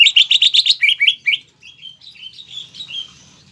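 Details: Cucak ijo, the greater green leafbird, in mbeset song to provoke rivals: a fast trill of bright rising chirps, then softer, slurred warbling whistles trailing off at the end.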